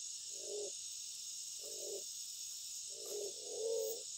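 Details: Black-naped fruit dove calling to a female in the egg-laying season: low, soft hollow coos repeated about every one and a half seconds, the last one longer and slightly rising, over a steady high-pitched hiss of insects.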